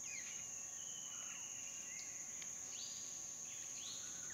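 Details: A female Asian fairy-bluebird gives clear, liquid whistles, some sliding sharply upward, a second or so apart, over loud insect drone. Hair-crested drongos were also dipping at the small waterhole in a dry stream bed. Recorded 8 March 2016 around 16:40, dry season, Phnom Prich Wildlife Sanctuary, Mondulkiri, Cambodia.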